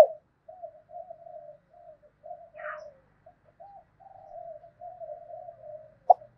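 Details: Spotted dove with a 'thổ sấm' voice, cooing to goad wild doves into fighting: a steady run of soft, low, wavering hummed phrases with a brief rustle midway.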